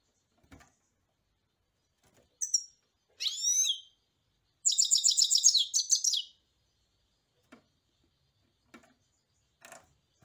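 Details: European goldfinch song with scattered single chirps and a slurred, rising, whistled phrase, leading into a rapid, high, jingling twitter of about a second and a half. Faint low taps and clicks are audible between phrases.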